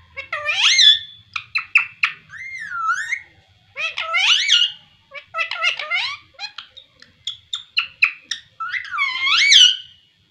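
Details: Caged pet parrot talking: squawky, nasal mimicked syllables and phrases with rising and falling harmonic sweeps, bursts separated by short pauses, in a small indoor room.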